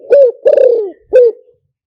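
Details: End of a spotted dove luring phrase for speaker playback: a rising coo, a long wavering falling coo, then a short final coo.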